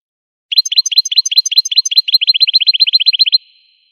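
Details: An American goldfinch, wild, sings a fast, steady trill of high, bright, repeated chirps for about three seconds. The notes are evenly spaced, roughly eight per second, and the background is quiet.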